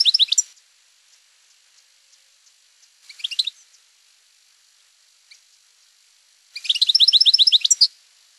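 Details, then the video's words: European goldfinch singing campero-style song: brief twittering bursts, then a longer run of fast tinkling, liquid notes near the end, over a faint steady high hiss. "El Jilguero 7"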